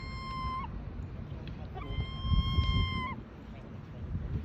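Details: Hungry gulls screaming in Bournemouth: two long, drawn-out, harmonic-rich cries, each held about a second and ending in a sharp downward flick, plus a few short yelps, over steady low rumble and background noise.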